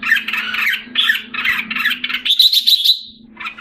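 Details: Singapore cage bird, a red-whiskered bulbul regaining condition in July 2017. Rapid scratchy chattering phrases end in a higher, thin trilled note, over a low droning hum.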